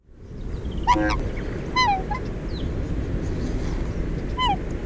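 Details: A Black Swan at the Western Treatment Plant, Victoria, Australia, gives three high, bugling trumpet notes that slur downward, two close together and one after a pause, over a low rumble of wind.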